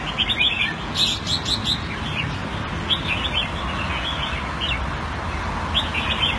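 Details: Red-whiskered bulbul kept in a cage Thai style in Singapore, 2018, sings clustered sweet chirping phrases in quick bursts with short pauses, over constant low-pitched background rumble.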